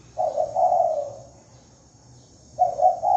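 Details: Spotted dove giving a lure call in a clean recording: a short double note then a longer, rolling, slightly falling coo, with the next phrase beginning near the end; steady faint high hum behind.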